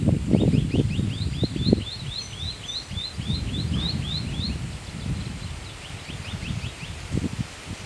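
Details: Scrub Greenlet, a vireo, at El Rey Marsh near Manuel Antonio: a rapid run of short, upslurred chirps repeated about four per second, pausing, then resuming, over low rumbling background noise.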